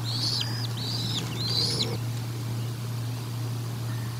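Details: At the Decorah North nest during a feeding, 04/01/2022, bald eagles give three high, arched, slightly rising-then-falling whistled chirps in quick succession, followed by quiet with a constant low hum.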